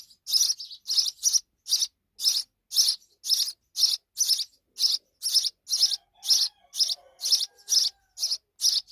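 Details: Repeated piercing chirps from sparrow chicks in Pakistan as the mother comes back with insects, a long regular series near two calls per second, each note buzzy and high, with a faint low whine in the background.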